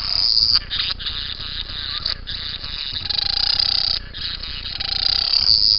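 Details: Young bowerbird producing loud, continuous, buzzy rasping, broken by short pauses roughly every second, with a faint tonal hum underneath in places.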